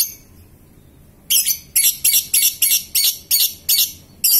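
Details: A young caged lovebird undergoing mental training finally breaks into its ngekek: after a second of quiet comes a run of about eight shrill, rapid chattering bursts, evenly spaced and very high-pitched, with no other sounds.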